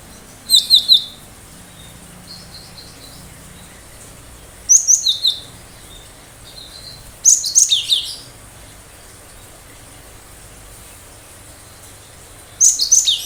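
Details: Cinereous tit sharp-shot song: four bursts of rapid, shrill, high notes roughly every four seconds, with soft high notes between bursts.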